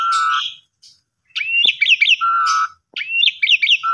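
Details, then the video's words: Asian pied starling song meant to get other starlings singing: a flat, buzzy mid-pitched note, a pause, then a run of rising chirps ending in another buzzy tone, phrases repeated. "Pancingan Jalak Suren Bongkar Isian Gacor Dengan Gaya Mompa Unik"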